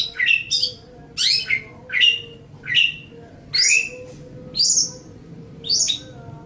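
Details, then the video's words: Long-tailed shrike (cendet or pentet), recorded as master song for training songbirds. Short phrases come about every 0.8 seconds, each a sharp scratchy downward sweep ending in a brief whistle. "Ocehan Suara Burung Cendet/ Pentet"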